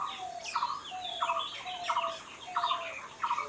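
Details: Natural bird song: a steady pattern of short buzzy trilled phrases, each followed by a slightly lower drawn-out whistle, repeating about every two-thirds of a second, with faint high chirps behind.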